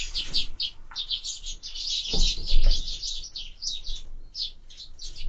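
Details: Sparrows feeding at window feeders, chirping without pause in a high, sharp chatter; a louder thump from the feeder stands out partway through.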